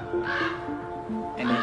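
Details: A parent Common Raven in Yellowstone, agitated by a person climbing to its nest of chicks, gives two harsh, hoarse croaks about a second apart, over steady background music.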